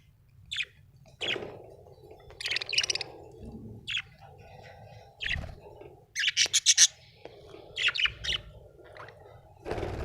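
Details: Happy budgerigar giving scattered short chirps and buzzy chattering bursts over several seconds, with a steady low hum beneath.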